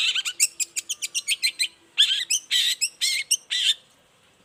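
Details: Long-tailed shrike's morning lure song: a fast string of sharp ticking notes followed by several longer, harsh, rasping phrases separated by brief gaps.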